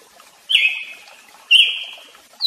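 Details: Brazilian tanager (tiê-sangue) giving two clear, sustained notes about a second apart, each starting sharply and trailing off evenly, with the start of a third at the end; quiet background.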